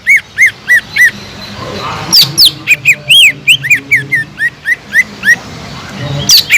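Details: Sumatran leafbird (cucak ijo) gacor song for stirring up other birds: evenly spaced arched whistles, then a fast burst of mixed slurred and rising notes, about three per second, with light background noise.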